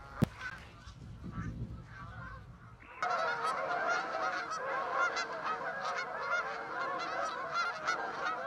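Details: Canada geese flying over West Somerset toward the Exmoor hills on an autumn morning near the equinox; after a quiet start with a sharp click, a dense chorus of overlapping honks bursts in at three seconds and continues throughout.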